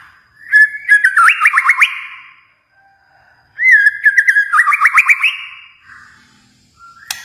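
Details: White-rumped shama from Kalimantan giving two similar song bouts, each a fast string of looping whistled notes climbing in pitch, separated by a short pause, ending with a brief harsh note.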